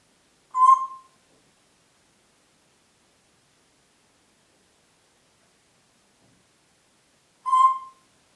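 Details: Pet Congo grey parrot in Diebach near Hammelburg, recorded 4 April 2012, giving two brief, pure whistle notes about seven seconds apart, with silence between them.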